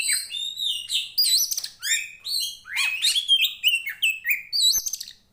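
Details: Fighting poci Tretes kacer, Oriental magpie-robin, sung for training birds' mental toughness; continuous fluty whistles, sliding rising and falling notes and quick stacked chirps, loud and unbroken throughout.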